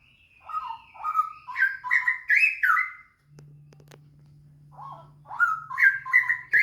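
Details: Straw-headed bulbul song used as a lure to get other bulbuls singing quickly: two loud, rich bubbling phrases of liquid notes climbing in steps, separated by a pause, over a steady low hum.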